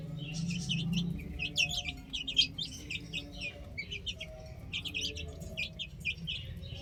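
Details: Chicks on a roof chirp in a busy, uneven stream of short high peeps, several birds calling over one another about once a second or faster, with a low background hum.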